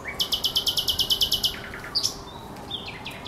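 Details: Thrush nightingale singing at Żerań Canal on 24 April 2022: a rapid series of about thirteen sharp, clicking high notes, then a few lower, softer phrases. A steady low hum runs underneath.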